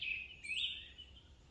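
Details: A European crested tit on Monte Biaena, Trentino, gives a thin, high, buzzy call with a brief upward-sweeping flourish; faint background hiss underneath.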